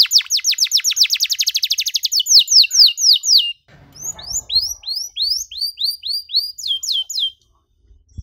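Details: Gacor canary singing in the cengkok mewah style with long dor rolls, suited to teaching young canaries: a rapid trill of short down-slurred notes for over three seconds, then slower curving whistles about four per second, and a faint low rumble.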